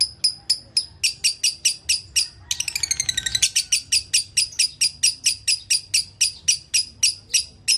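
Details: Caged lovebird calling with a long series of sharp, high chirps, roughly two per second, that break into a fast trilled burst midway before the steady chirping resumes.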